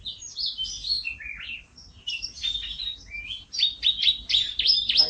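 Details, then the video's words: Canary in energetic, nonstop song: high, varied whistled and buzzy phrases, some notes sliding downward, a short pause, then a quickening run of repeated sharp chirps near the end. "Suara Kenari MP3 Kicau Kenari Gacor Isian"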